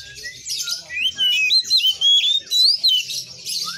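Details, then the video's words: Vigorous Oriental magpie-robin song, a run of bright, rapid whistled notes that swoop up and down in quick succession after a soft, scratchy opening. "Kacer gacor"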